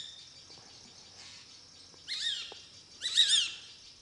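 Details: Greater racket-tailed drongo in Melghat Tiger Reserve giving two loud harsh, harmonic call bursts about a second apart, each with bending whistled overtones, against a constant high-pitched insect hum.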